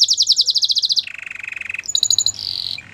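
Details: Canary training song opening with a fast, high pulsed trill that drops to a lower rolling trill, followed by a few bright ringing notes and a short buzz.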